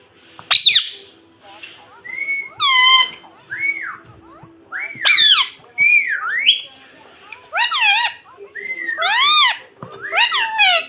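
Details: Pet Indian ringneck parrot kept at home, talking and whistling: loud, clear whistled slides and squeaky speech-like syllables in short bursts, some rising and falling, repeated with brief pauses, a faint hum behind.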